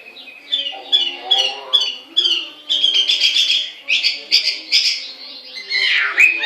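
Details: Melodious laughingthrush song: short repeated whistled phrases building into dense, rapid warbling with bright, slurred notes that rise and fall, sung continuously and strongly.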